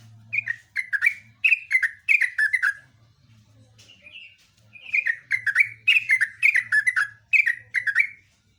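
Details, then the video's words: Lengthy, energetic Yellow-vented bulbul song in two long runs of bubbly, downward-slurring chirps, each run of about eight to ten notes, separated by a softer whistled phrase; faint low hum throughout. "kicauan trucuk super gacor"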